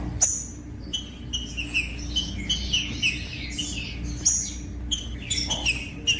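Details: Captive green-winged saltator singing, played to warm up caged birds: a dense string of short whistled phrases, sharp clicks throughout, and a steady low hum.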